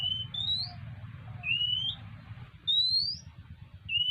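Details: An Oriental magpie-robin comes asking for food: a series of four thin, upward-sliding whistled notes at uneven intervals, bright and clear above a constant low droning noise.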